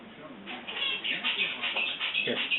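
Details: Pet Eclectus parrot, seven months old, attempting to say "hello" while learning to speak; bright, nasal, meow-like syllables strung in quick repeated bursts over two seconds, with a person's quiet voice nearby indoors.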